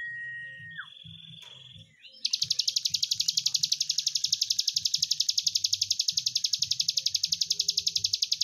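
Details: Prinia known locally as ciblek gunung, a lively singer showing the long trill song style called breen panjang: a few thin whistled notes, then an unbroken, very fast buzzy trill of high, evenly repeated pulses lasting over six seconds.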